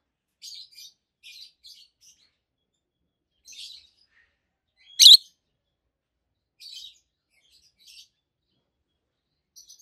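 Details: Adult peach-faced lovebird pair chattering in quiet scratchy bursts, with one single piercing loud chirp in the middle.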